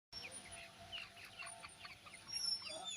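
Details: Laying hens (ayam petelur) give a dense, overlapping chatter of short, high clucks and squawks, several birds calling at once with no steady rhythm, against a faint constant hiss and a thin high whine.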